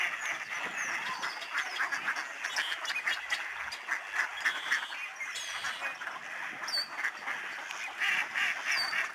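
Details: Honking snow geese, huge flocks circling and descending over the Fraser River estuary at Delta, British Columbia, 24 March 2011. Rapid, chattering nasal honks from countless birds run on continuously, a few sharper high yelps standing out.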